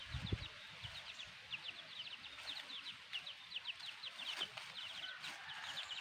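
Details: Chicks of a black hen peep continuously, thin, high and sliding downward, in quick uneven bursts, with a low thump at the start.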